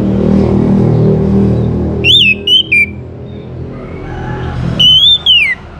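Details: Orange-headed thrush song as a lure for other birds to join in: a trio of rich whistled notes, a pause, then two more rising-and-falling whistles, over a rumbling, hum-filled background.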